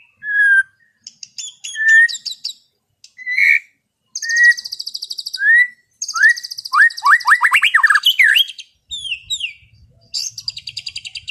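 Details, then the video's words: White-rumped shama singing a relaxed 'ngeplong' style song in the afternoon: clear whistled notes near the middle pitch, dense buzzy rattles, then a burst of quick rising upslurred notes, finishing with sharp descending whistles. "SUARA MURAI BATU NGEPLONG SANTAI SORE HARI"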